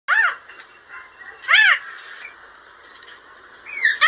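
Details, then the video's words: A lorikeet gives three short, voice-like 'talking' phrases with rich arching tones, spaced about one and a half seconds apart, over a quiet room background. "Funny talking lorikeet"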